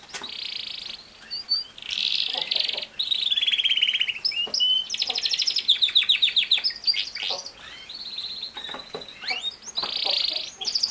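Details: Canary song made of harsh buzzy rattles alternating with rolling trills and quick chirps, with short pauses between phrases; high-pitched and lively throughout.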